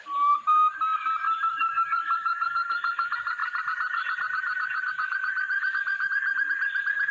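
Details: Male Sumatran partridge, caught by trapping, giving a loud call: a long, rapid series of whistled notes, evenly repeated and slowly rising in pitch throughout.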